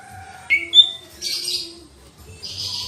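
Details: Lesser green leafbird singing a master song: clear whistled notes that jump up sharply in pitch, followed by brief buzzy, scratchy phrases, with a faint low tone running underneath.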